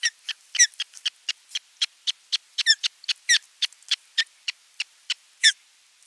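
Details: Osprey at a nest on 27 June 2022, a fish brought in and feeding underway. A rapid string of shrill piping whistles, some rising and slurred, with a louder burst near the end.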